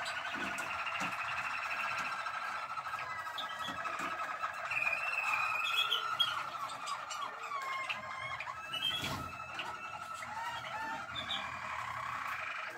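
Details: Malinois waterslager canary singing, recorded 12 December 2023: a continuous run of rolling trills and bubbling, warbled notes in the mid-high range, with sliding whistles and brief clicking phrases, steady throughout.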